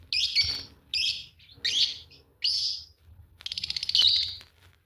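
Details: Green Fischer's lovebird pair calling: a series of short, harsh, high chirps about one second apart, then a longer run of fast, rattling, squeaky twittering.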